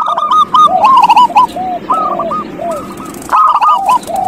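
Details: Zebra dove song meant to prompt a reluctant dove to sing: rapid, bubbling series of clipped coos with lower slurred notes woven between, two birds overlapping, continuing for about four seconds with brief gaps.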